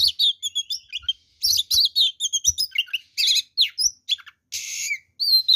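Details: Fighting song of an oriental magpie-robin, used to goad other birds into aggression: fast run of varied whistles, trills and mimicked-sounding chirps, broken by a rasping buzz near the end.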